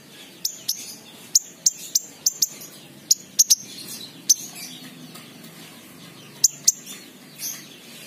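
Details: King konin, a lure recording meant to coax an untrained bird that is reluctant to sing, giving sharp, very high ticking chirps, some in quick pairs, scattered irregularly over a quiet background.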